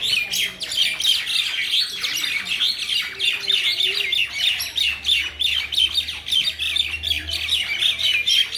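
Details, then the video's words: Mynas in a Bangladeshi village chatter continuously in harsh, squawking and chirping notes at a rapid, uneven pace, several birds overlapping throughout. "শালিকের কিচিরমিচির শব্দ"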